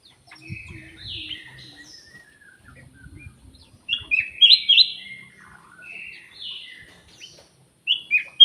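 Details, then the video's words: Black-naped oriole lure call: short, loud whistled notes in quick groups of three or four, some rising, some falling, over softer twittering chatter and faint low rumble. "KUTILANG EMAS \ CUCAK EMAS SUARA PIKAT GACOR"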